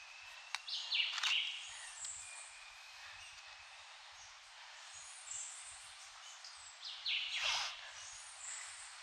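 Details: Red-legged thrush of the Puerto Rico subspecies, endemic to the Caribbean, giving short harsh calls: one burst near the start and a broader rasping note toward the end, over a steady high hiss of background noise.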